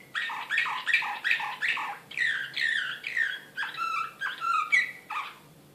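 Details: ['Excited Serbian slavujar canary, recorded in Belgrade in 2016, sings rhythmic bursts of buzzy, chattering syllables, about two per second, in a steady run that fades at the end.']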